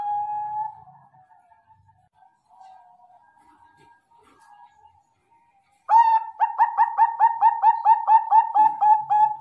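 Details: Bangkok-type zebra dove on a training recording: a brief mellow coo, then a near-silent gap, then a loud burst of rapid staccato cooing notes about three per second, each note with a slight upward flick.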